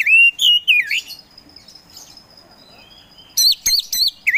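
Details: Oriental magpie-robin (kacer poci), a songbird kept by hobbyists, singing actively: loud whistled notes sliding down and up, then a quiet gap, then a quick burst of sharp rising-falling whistles.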